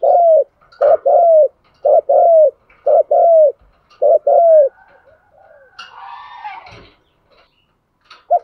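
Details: Decoy spotted dove cooing to attract wild doves: deep coos in pairs, a short note then a longer falling one, repeated about every second, followed by a brief scuffle of other sound and a final coo.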